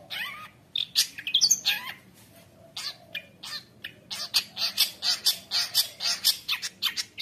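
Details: Long-tailed shrike in full 'gacor isian' song for training juvenile shrikes: a few harsh calls and twisting squeaks, a short quiet spell, then a steady string of loud, rasping notes about four per second.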